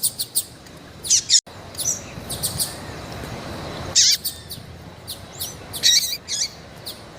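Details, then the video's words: Female variable seedeater in heat calling: high squeaky chirps in scattered bursts with quieter gaps, a short dropout, and curling notes near the end. "FÊMEA DE COLEIRO QUENTE CHAMANDO MUITO FOGOSA E PIANDO - ESQUENTE SEU COLEIRO FRIO"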